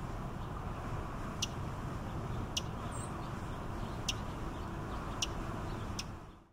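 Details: A Fox Sparrow gives its typical sharp, dry smack call notes every second or so over a steady low rumble.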